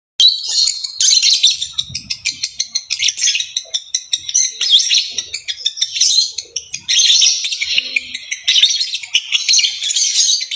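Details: Lovebird mating call, played to stimulate other lovebirds to breed: very high, shrill chattering and squeaky chirps in rapid pulsed bursts, nearly continuous with brief gaps.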